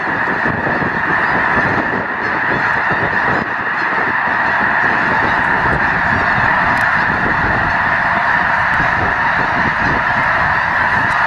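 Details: Enormous flock of Snow Geese, over a million strong, at Loess Bluffs refuge in February 2020. Overlapping honks form an unbroken, roaring chorus throughout.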